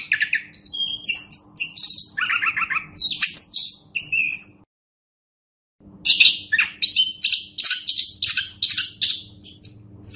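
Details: Master recording of an orange-headed thrush for training other birds: rapid stuttering notes and high whistles, a second of silence, then another fast series of sharp, varied phrases.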